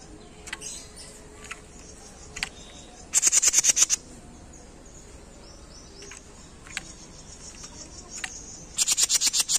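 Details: Masteran training recording of a jenggot: sparse thin high chips, then a rapid burst of about eight shrill, very high repeated notes, with another similar burst at the end over steady faint hiss.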